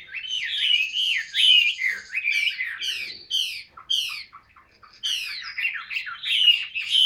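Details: Chinese hwamei kept in captivity delivering a rich varied song: rippling whistled warbles, then bursts of sharp rapid downslurred notes separated by short pauses, loud and close.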